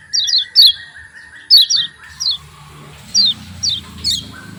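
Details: Javan white-eye lure recording for getting white-eyes singing: quick pairs of high descending 'ciak' chirps, irregular about once a second, over a steady lower whistling tone early and a low rumble later.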